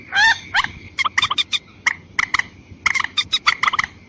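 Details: White-breasted waterhen call played as a lure for both sexes: one drawn-out, wavering squawk opens, followed by irregular clusters of short, hard, clipped notes, over low background noise.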